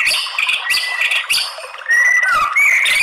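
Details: White-rumped shama song played as a lure to provoke males into fighting song: harsh squawking bursts and broken notes, then loud clear whistles rising and falling near the end.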